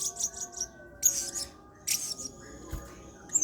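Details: Blue-crowned hanging parrot calling lively in the 'main singa' style, used as a model song for training other birds; sharp, very high buzzy chirp bursts in short groups, over faint steady tones in the background.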